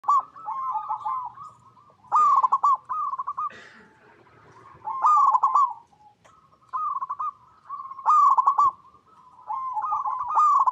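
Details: Local zebra dove song used as a lure to make other zebra doves sing: bursts of soft, rapid trilled cooing notes around a fixed pitch, repeated every two to three seconds, with quieter cooing between bursts.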